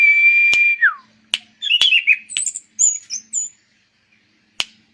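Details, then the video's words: Orange-banded Thrush singing a long steady whistle that slurs downward, then a run of varied twittering and high piercing notes, with sharp clicks throughout. "Burung Berkicau Anis Cendana"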